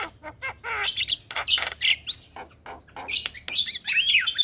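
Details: Lure song of a black-winged myna played as therapy for a stressed bird gone silent: rapid series of harsh, grating squawks and metallic chips, broken by short clear whistles and a warbled rising phrase at the end.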